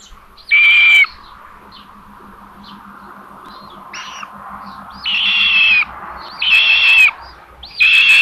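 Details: Common buzzard at a nest with chicks in Tiszalök, Hungary, 27 May 2022 around 12:32, as a parent brings food: four loud, harsh, slightly falling mewing calls, irregularly spaced, over a faint hum.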